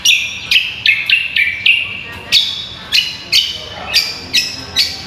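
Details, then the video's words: Cucak kombo in full, active song, used as a training recording for songbird contests: sharp, clipped whistled notes repeated about every half second, each falling slightly in pitch, with a quiet indoor background. "MASTERAN AMPUH BURUNG CUCAK KOMBO GACOR"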